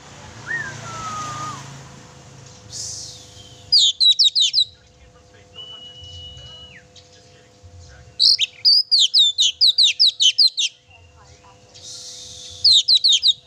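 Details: Active oriental magpie-robin song for provoking a pet magpie-robin: a faint low slurred whistle and a mid-pitched whistle, then repeated bursts of rapid, high, clicking chirps, about three per second.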